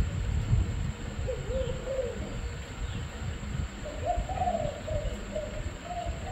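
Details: Spotted dove giving two separate rolling coo phrases, each a short run of low hollow notes that rise slightly then fall, with a steady low background rumble.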